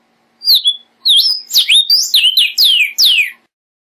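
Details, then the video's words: A single Vermilion cardinal phrase of roughly nine loud, pure whistled notes. Early notes rise and waver, and later ones become long, sweeping downslurs, all delivered quickly and cleanly. "Cardenal Guajiro Canto!"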